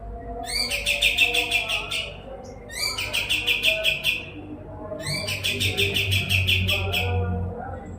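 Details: White-eared tit (kapas tembak), a lively singer used as a tutor for murai batu and other contest birds, with a sharp, rapid, densely packed song. Three bouts of fast repeated high notes, each lasting about one to one and a half seconds, with brief pauses between them and a low background hum.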